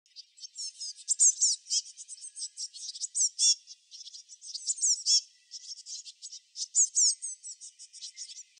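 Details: Small bird giving a continuous, very high twittering of thin, rapid chirps and short sweeping notes in bursts, with brief pauses between runs and no other clear sounds.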